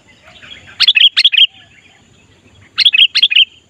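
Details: Sooty-headed bulbul singing to lure wild bulbuls: two loud bursts of rapid bubbling whistled notes, each burst of about six notes, separated by a short quiet gap.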